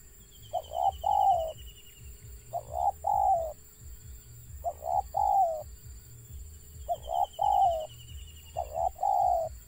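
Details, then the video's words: Stuttering call of a wild zebra dove: five regular phrases, each two or three quick choppy notes leading into a drawn-out quavering coo, roughly every two seconds; faint higher chirps from another bird and low background rumble. "BURUNG TEKUKUR LIAR ADA GAGAP NYA"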